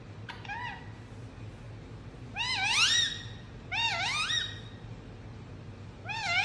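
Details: Pet Indian ringneck parrot chirping: a soft short note, then three loud, strongly harmonic calls that dip and rise in wavering swoops about a second and a half apart, faint hum underneath.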